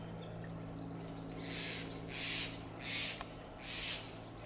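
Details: Steller's jay calling from a tall Monterey pine in Del Monte Forest, California: harsh, raspy, noisy bursts repeated about every second, four in a row, over a steady low hum and faint distant chirps.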